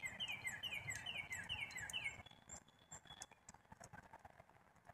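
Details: Black-capped chickadee calling: a quick series of about eight harsh, descending slurred notes, evenly repeated for two seconds, then faint background rustle.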